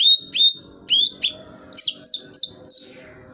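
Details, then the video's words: White-rumped shama, tail pumping as it sings eagerly: clear high whistles, some long and level, others sharply dropping, followed by a quick run of four matching bright upslurred notes. "burung murai masih dorong ekor masih gacor"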